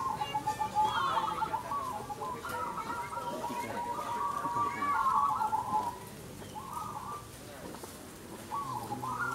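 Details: Zebra doves, locally bred crossing birds, singing eagerly at a dove singing competition: rapid trilled, wavering coos repeated in overlapping phrases, with human voices in the background.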